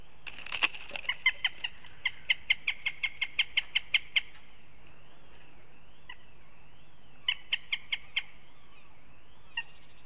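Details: Northern goshawk in Riga, Latvia, giving a rapid series of sharp kek notes, about four a second for four seconds, then shorter bursts. A steady low hum and a wavering tonal sound run underneath.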